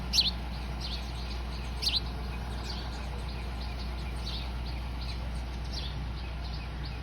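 Eurasian tree sparrow giving short, bright chirps, two loud ones about two seconds apart and softer ones scattered after, over a steady low rumble.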